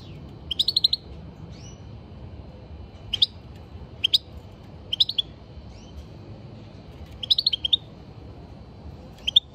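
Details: European goldfinch song: short bursts of bright, high twittering chirps in quick clusters, with long pauses between bursts and a faint low background hum.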